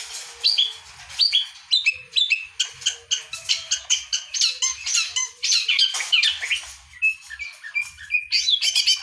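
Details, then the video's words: Singing long-tailed shrike, used to spur other birds into song: a dense, hurried string of grating squawks, chirps and short sliding whistles, with a brief pause before the fast medley resumes. "Burung pentet gacor bikin burung yang macet jadi gacor lagi"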